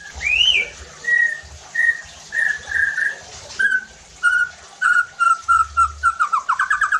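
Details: White-rumped shama song used to provoke other shamas; a rising whistle, then level whistled notes in a series, ending in a quickening run of short repeated notes.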